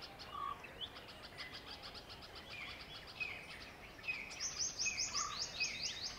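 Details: A pair of wire-tailed swallows in a Delhi garden, perched on a swimming-pool ladder before sallying out for insects over the pool, give quick, high twittering chirps in loose bursts that grow busier and sharper toward the end, over a steady background hiss.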